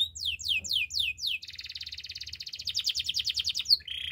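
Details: Canary song begins with repeated descending whistled sweeps, then a long fast buzzing rattle, ending with a sharp note and a lower trill.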